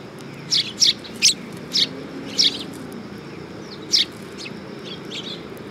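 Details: Sparrows at a perch platform at a Tenmangu shrine, 3 September 2022, giving a run of five bright chirps, then one more and a few faint twitters fading out.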